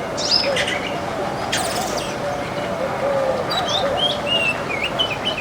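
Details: Flock of baya weavers eating grains in a backyard, giving short, bright chirps and quick twittering notes that overlap irregularly, over a steady low background murmur.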